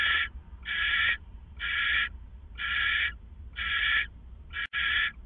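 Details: Two owls at a hideout before dawn, 4:49 a.m. on April 27, 2014, giving harsh, hissing rasps about half a second long, repeated roughly once a second, with a low background hum and one sharp click near the end.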